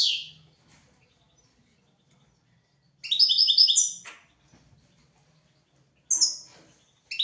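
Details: Song of a European goldfinch for teaching goldfinches and canaries: short separate bursts of high twittering, the longest about a second of bright tinkling notes, with pauses and faint low clicks between.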